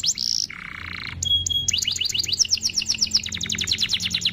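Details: Canary song used to lure other canaries to sing along: a buzzy chatter and a low rasping note, a clear steady tone, then a long fast trill of bright repeated notes.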